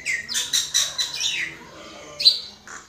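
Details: Common myna singing loud harsh chirps and squeaky notes, then a descending slurred whistle, a short pause and a final sharp squeak.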